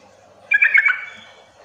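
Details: Sooty-headed bulbul calling to provoke other bulbuls into answering: a short burst of bubbly, chattering notes lasting about half a second, with faint background hiss.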